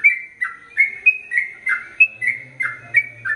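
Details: Ropel panjang singing from a gacor Sooty-headed bulbul: clear, slightly wavering whistles alternating higher and lower, around three per second, over a soft low hum in the second half.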